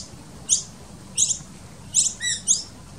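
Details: Noisy miner nestlings in a garden tree fern nest, being fed by adults; sparse high squeaks every half to one second, some doubled, one short lower whistled note near the end, soft background hiss.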